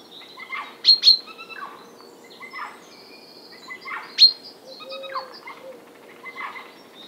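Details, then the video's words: Eurasian jay giving a rarely heard imitation variant of its call, heard again one morning after being noticed on previous days and recorded with a Nikon D500: irregular sharp, harmonic-rich notes, bursts of clicks, a brief level whistle, in a quiet background. "De onbekende roep van de Vlaamse gaai"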